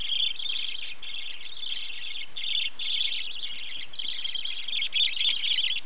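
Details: Several pet budgerigars kept at home chatter together in a chorus, a dense, continuous warble of high, scratchy chirps and squeaky notes, with a few louder bursts rising above the flock.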